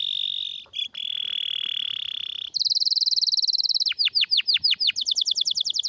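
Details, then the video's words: Canary with a rare, strong song, used as a master for training canaries: a steady, rapid trill held for over two seconds, then a higher rattling roll, then falling swept notes about three a second and fast rising notes. "Canário com Canto Raro e Forte – Ótimo para Seu Mestre Canário HD - CANARY SOUND MELODY"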